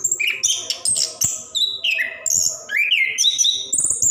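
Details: Varied ngerol singing from a plontang orange-headed thrush, intended to stir lazy birds to sing; high whistles alternate with lower gliding notes and a swooping upward slur near the end.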